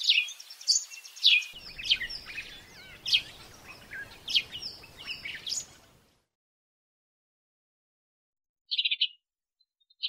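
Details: A sparrow in Africa gives a quick run of sharp, bright chirps for about six seconds over a low rumble, then falls silent before one last brief chirp.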